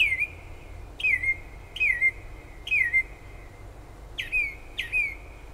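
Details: Nighttime bird song outside a kitchen window in Toms River, New Jersey, about five miles from the shore; six quick downslurred whistles spaced roughly a second apart, each trailing into a flat tone, over a noisy low rumble.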